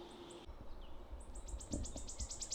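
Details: A restless wood warbler singing from a perch right overhead: a couple of sharp high notes, then a high, accelerating run of shivering notes like a bouncing marble, over low background rumble.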